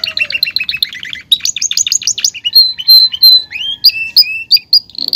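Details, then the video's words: Male Belgian canary kept in a cage, singing to attract a female and claim its place: rapid rolling trills, then loud, clear whistled notes, some sliding upward, in varied phrases. "canario belga cantando"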